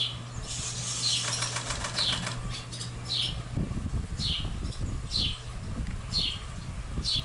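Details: Barn swallow fledglings at Tall Grass Prairie Preserve near Pawhuska, Oklahoma, on 1 July 2018, give short high chirps about once a second, with a low fluttering rumble and a steady hum early on.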